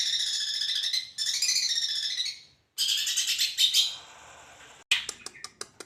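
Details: Singing long-tailed shrike imitating the kunti panjang and tengkek: harsh, scratchy, wavering bursts of noisy chatter separated by short gaps, followed by a series of sharp, dry clicks.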